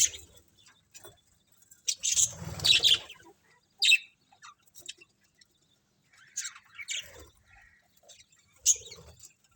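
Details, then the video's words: A budgerigar colony gives scattered short, bright chirps in separate bursts, with a scratchy noisy patch near the start, then a few sharp chips spaced a second or two apart among quiet gaps. "Cute Colourful Budgies Chirping Sounds"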